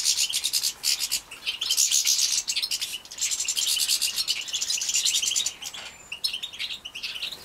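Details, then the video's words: Young European goldfinches bred in captivity, Poland 2017, being fed: fast, high-pitched, insistent chirping pours out almost without pause, a loud twittering mass that eases slightly near the end. "Młode szczygły hodowlane Carduelis carduelis breeding"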